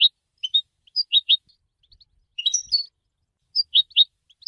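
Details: Goldfinch singing for song training: scattered high twittering notes in short clusters, sweet chirps and quick slurred syllables separated by brief silences, with one busier tangled burst midway.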